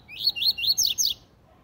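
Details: Double-collared seedeater song in the tui tui zel zel style, used for tutoring young seedeaters. Five quick upslurred whistled notes rise in a series, the last two buzzier and sliding down. The background is quiet.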